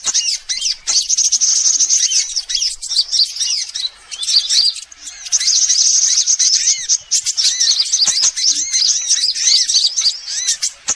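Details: Mixed sunbird calls played as a lure to draw in birds: many overlapping high-pitched chirps, trills and thin whistled notes in a steady busy chorus, with short pauses around one and five seconds.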